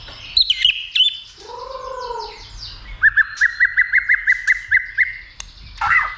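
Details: White-rumped shama, caged and stirred up for fighting and abundant song. It gives a few high whistled notes, a lower mellow wavering sound, then a steady run of about ten identical short whistled notes, ending in a brief rising twitter.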